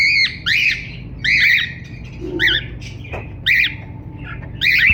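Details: Cockatiel chirping in raspy, arched bursts, often doubled, about every second, with a low hum and a faint thud in between.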